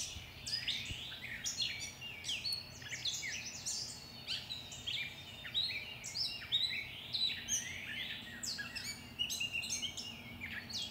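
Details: Several birds sing together at 5:45am on Monday, May 11, in a backyard, recorded with a shotgun microphone: overlapping high whistles, rapid chirps and sweeping trilled phrases, with a soft low rumble beneath.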